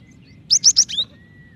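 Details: Female cinereous tit calling the male: four fast, piercing whistled notes, the last one lower and slurred, followed by a faint thin steady tone.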